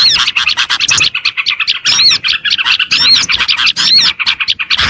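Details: Oriental white-eye lure sound for attracting small birds: rapid, rhythmic bursts of sharp high chirps with a few bright slurred whistles, tightly packed.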